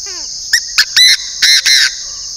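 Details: Chinese francolin decoy bird from northern Vietnam giving a loud harsh call of five notes, two short clipped notes then three longer rasping ones, over a steady high insect drone; a faint falling whistle from another bird opens.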